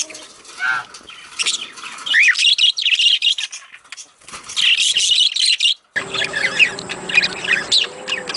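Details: Budgerigars chatter in a sound used to stimulate breeding: dense, scratchy high chirps and warbles in uneven bursts. After a brief silence near the six-second mark the chatter resumes over a steady low hum.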